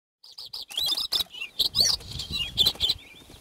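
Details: Bluethroat singing at close range in Northern Cyprus, where it is described as very rare: a varied burst of clicks, short buzzy notes and bright whistled phrases, with several sharp ringing notes near the end.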